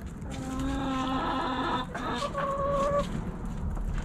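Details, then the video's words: Rooster crowing in a backyard: a long harmonic crow, a brief break, then a second steady held note ending near three seconds, with low background rumble. "Hens Clucking Roosters Crowing!"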